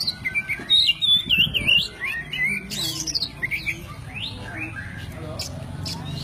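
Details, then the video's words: Oriental magpie-robin, white-breasted kacer poci, singing forest-fill master material for training songbirds: a rapid tumbling series of warbled whistles and chatter, then softer, sparser notes against a low background hum. "BURUNG KACER POCI ISIAN ALASAN"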